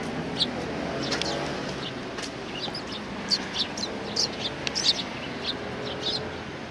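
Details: Sparrows at a Tenmangu shrine on 7 January 2019, a group welcoming visitors, give short high chirps in scattered bursts, clustering thickest in the second half, over a steady broad background hiss.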